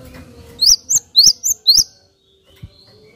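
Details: Stimulating Java sparrow call: five clear, rising chirps about a quarter second apart, then silence with one soft click.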